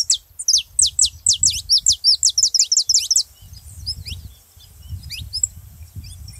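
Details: Saffron finch song to stimulate other birds to sing: a fast run of about a dozen sharp, high, falling notes, then softer scattered chirps over low rumbling noise.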